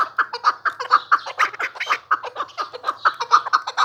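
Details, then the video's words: Newly acquired chukar partridge calling in a steady chuckling series, short mid-pitched clucks repeated about twice a second, evenly spaced and clear against a quiet background. "My New Chakor Voice || زما د نوي زرک آواز"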